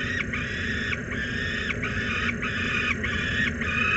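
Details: Peregrine falcon at the Włocławek Anwil nest site on 16 July 2022 at 16:07 screams harshly from the ledge, a rasping, broken cry about every two-thirds of a second over a steady hiss, as the young falcon Iskierka leaves under the pressure.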